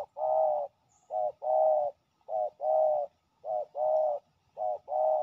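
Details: Fierce territorial male spotted dove responding during ground decoy trapping; deep hollow coos in short-then-long pairs, a brief note followed by a longer rolling coo, the pair repeated about once a second, close and clear with no other sounds.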